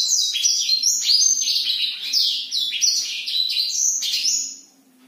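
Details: Black-throated canary in full night-time song, kept by its owner: a continuous rapid string of high, varied chirps, trills and downslurred whistles for about four and a half seconds, fading at the end, over a faint low hum.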